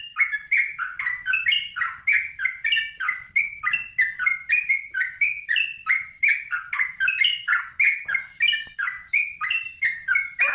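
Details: Yellow-vented bulbul giving a busy, continuous song for training other songbirds: quick warbled chirps about three per second, bubbly and tumbling in pitch, over a quiet background.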